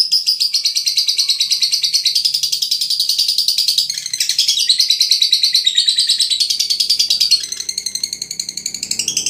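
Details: Long rattling song of a Veronica lovebird from Brebes, harsh high twittering pulses run steadily, break briefly, then resume in fast trilled chatter.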